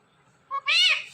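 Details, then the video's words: Single clipped note followed by a loud, bright, word-like syllable rising and falling, spoken by a parrot from a pet talking couple indoors. "BEST "TALKING" "PARROT" COUPLE EVER"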